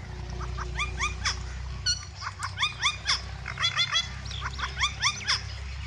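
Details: Green and white ringneck parrot calling in a series of short, harsh, harmonic-rich notes, repeated in quick bursts of two or three, over a steady low hum.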